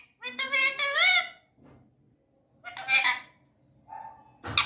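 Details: Indian ringneck parakeet talking in a high, nasal voice: one rising and falling speech-like phrase, a pause, a shorter word, a faint steady tone, then an abrupt noisy click at the end.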